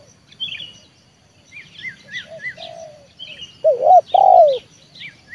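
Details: Trained spotted dove used as a lure, working to bring a wild dove down to the ground. Soft, faint coos give way to two loud, husky, drawn-out coos near the end, with scattered high chirps from other birds.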